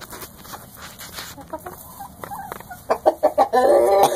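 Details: Kept chickens from an owner's flock that also includes twenty smaller chickens; low murmuring background, then a short burst of four sharp clucks followed by a louder drawn-out harmonic squawk at the end.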